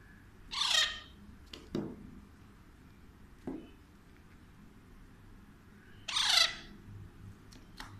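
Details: Pet Alexandrine parakeet indoors, near a baby it talks to in Urdu/Hindi, giving two harsh, noisy squawks about five seconds apart, with faint clicks and quiet room noise between.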